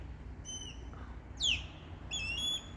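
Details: An osprey in summertime near a yard gives three shrill, whistled calls, apparently its nest-defence call: a level piping note, a sharp downslurred squeal, then a longer whistled phrase. A low rumble runs underneath.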